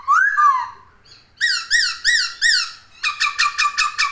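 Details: Song of a poksay (laughingthrush): a swooping whistled note, a pause, then three arched, ringing phrases and a quick run of chattering, harmonic notes.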